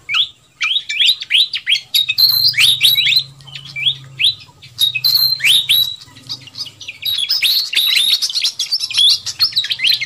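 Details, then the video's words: Fantail flycatcher, agitated calls used to lure wild birds: a steady run of quick chirps giving way to dense squeaky twittering, over a low mechanical hum. "Suara Pikat Burung Sikatan Kipas RIBUT"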